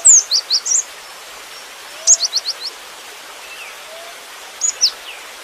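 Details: Cinereous tit in full song: a rapid run of high, slurred chirps, a pause, a second burst of four or five sharp notes, then a final pair, over a constant soft rushing like a stream.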